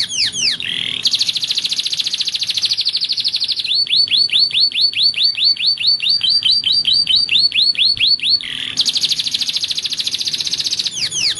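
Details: Belgian canary singing clean, clear phrases for training young birds: falling sweeps, a dense fast buzzy trill, a long run of rhythmic rising-falling notes, then the buzzy trill returns and ends with sweeping notes.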